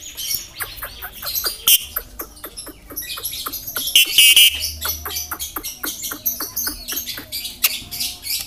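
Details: A yellow-eyed Javan myna imitates human speech with rapid clicks, harsh chirps and squeaky voice-like phrases, copying greetings like "assalamualaikum" and "halo", words like "piro" and "pulsa", and coughing; no other clear sounds.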